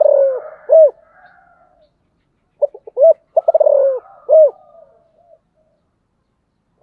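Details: Spotted dove (cu gáy) cooing. The tail of one phrase is followed by a full one: a few soft notes, a quick stutter, a long falling coo and a strong final coo, with faint background calls.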